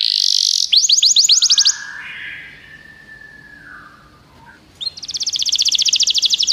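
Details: A canary's song, played to stimulate a pet canary into singing: a bright rapid trill of repeated high notes, a quieter pause with a soft low whistle, then another fast, buzzy trill.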